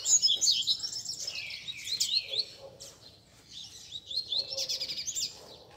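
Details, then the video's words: Several caged double-collared seedeaters singing together during a Sunday gathering of bird keepers, used to warm up a competition bird. The clip is a tangle of high twittering, trilled phrases, with a faint rustle in the background. "BADERNA de Coleiros TOP - Ótimo para esquentar seu Coleiro de Roda!!!"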